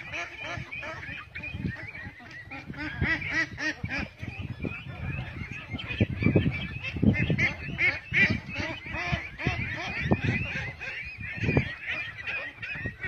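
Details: Domestic ducklings on a farm, healthy and active, a flock peeping continuously in a busy overlapping chorus of thin high notes, with low rustling and thumping underneath and a person speaking briefly.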